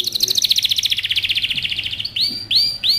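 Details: Courting male canary urging a female into mating position: a dense rapid trill sliding gently downward, followed by three loud, rising-then-falling swept whistles.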